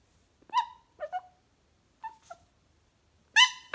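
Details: A pet cockatoo gives five short, nasal, voice-like utterances over four seconds, the last a louder, harsher squawk, in a quiet room, while its owner talks to it.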